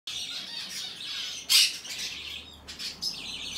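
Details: Hand-tame Monk Parakeet chick of the aqua pallid colour, recorded 22 May 2022, giving continuous raspy, noisy calling with a loud harsh burst mid-way and quieter scratchy notes before and after.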